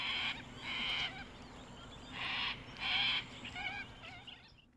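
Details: Noisy sulphur-crested cockatoos in Australia give a run of loud, grating screeches in blocks of about half a second, followed by shorter raspy, wavering squawks fading out; a constant faint hum stays underneath.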